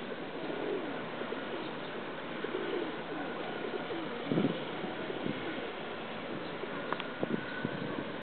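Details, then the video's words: A domestic pigeon (Columba livia domestica) at Guandu, Taipei, on 26 October 2009 gives low, throaty rolling coos in its courtship display, over a steady background hum with a few short knocks. "家鴿 求偶 rock dove pigeon courtship"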